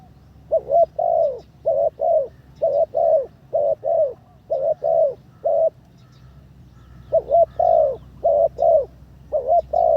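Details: Training decoy spotted dove on its third session, cooing almost continuously. Pairs of soft, low coos follow one another rapidly, a pause near the middle, then a fresh run of phrases over faint hum.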